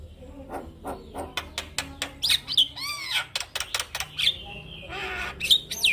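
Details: A male Javan myna, singing as a model for other mynas: rapid clicks, arching whistled notes and harsh rasping phrases, with sharp high whistles near the end.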